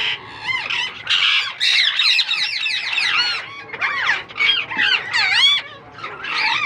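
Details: Indian ringneck parakeet chicks, just hatched from a young pair's first breeding in captivity, giving dense, harsh, buzzy squawks that overlap almost without pause, with a few short gaps between bursts.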